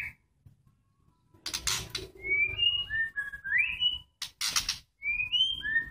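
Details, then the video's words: Immature white-rumped shamas during pairing for mating give a run of clear whistled notes that step up and slide down. Two harsh, noisy bursts break in, and faint room noise sits underneath. "proses penjodohan murai batu yang masih dokor"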